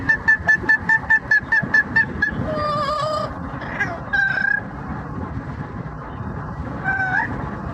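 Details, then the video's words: Yellow-naped amazon parrot, a pet bird during a car commute, singing opera-style: a run of about ten rapid repeated notes, then a long wavering tone and sliding whistled phrases over steady low road rumble. "Charlie Murphy the Parrot singing opera and making noise for the commute"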